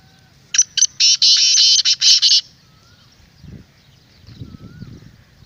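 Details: Black francolin calling to draw in wild birds: a loud, rapid burst of harsh grating notes, then quiet with a faint whistle and low rustling noise.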